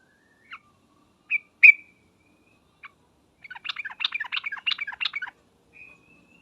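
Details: Sooty-headed bulbul answer-provoking call in 'ngriwek uplik uplik' style: scattered sharp single chips, one ringing note, then about two seconds of rapid bubbly chattering followed by a faint thin whistle.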